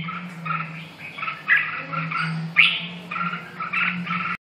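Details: Red-whiskered bulbul uttering short chirps at an uneven pace, a couple of louder squeaky notes standing out, against a steady mechanical hum; sound cuts off abruptly at the end.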